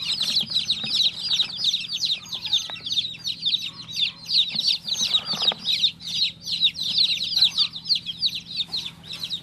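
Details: Continuous high-pitched chirping from a newly hatched baby chick, quick falling peeps about three per second, with some soft rustling and light knocks alongside and a low hum underneath.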